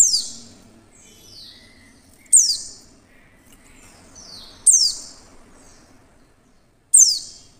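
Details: A female Oriental white-eye gives very high, thin, sharply falling notes about every two seconds, each followed by softer trailing notes, over a faint low hum; her call is used to lure other white-eyes into singing.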